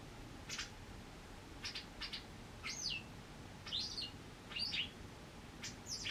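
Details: Injured wild white wagtail, back after nine months with a hurt leg and monitored during recovery: bright slurred chirps roughly once a second, interleaved with short dry ticking sounds over a soft background hiss.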